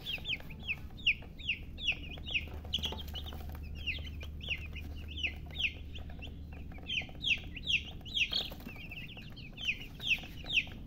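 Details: Baby chickens, colored chicks, chirping together: a rapid, continuous stream of shrill, downward-slurred peeps, more than two per second, with a low droning hum underneath for part of the time.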